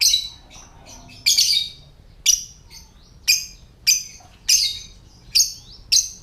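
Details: Ngetik or typing call of a lovebird, used to trigger other lovebirds into calling and breeding condition: eight harsh, high clicking chirps at uneven gaps of roughly half a second to one second, loud and clean against a faint hum.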